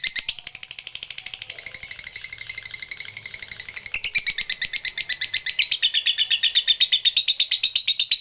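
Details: Lovebird kept as a fighter bird, its long chattering 'ngekek' used as a lure to provoke rival lovebirds: rapid, harsh, buzzy notes repeated nearly three times a second for over eight seconds, shifting higher partway through.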